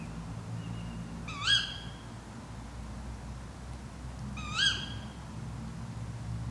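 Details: Tawny owl (Strix aluco) recorded overnight by a drop rig in woodland near Fachwen, Padarn Park, Wales: two sharp, shrill calls rising then dropping about three seconds apart over a low steady hum.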